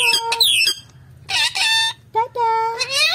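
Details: Malayalam-talking parrot mimicking words: steady high tonal syllables with bright stacked harmonics, one upward swoop, then clipped chattering phrases separated by brief silences.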